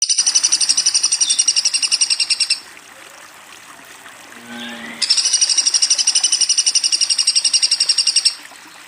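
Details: Woodpecker giving two bursts of fast, evenly repeated high chirps, each lasting about two and a half seconds and separated by a quiet gap in which a faint rising tone is heard.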